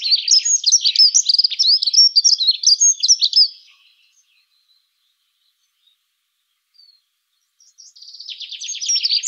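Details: Hurried jingling warble from a Dunnock, a dense stream of high squeaky notes for about three and a half seconds, then a pause and the start of a fresh phrase.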